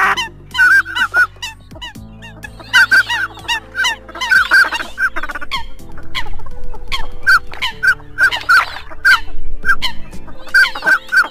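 Eurasian coot giving loud, abrupt honking notes in quick bursts, several per second, over a steady low hum.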